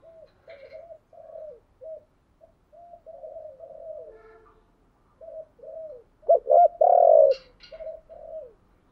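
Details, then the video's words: Decoy spotted dove cooing to provoke wild doves into calling and coming to fight: a run of soft, mid-pitched coos, then a burst of loud, booming notes near the end, with faint higher chirps. "chim cu mồi thúc gù gáy gọi dùng kích bổi nhanh nổi gù, chim cu gáy kích bổi nhanh về cội đấu"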